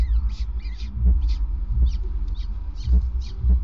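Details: Male peregrine falcon delivering prey to the nest on a grate, evening of 5 May 2019: quick series of short scratchy notes about twice a second, with dull low thumps and constant background hum.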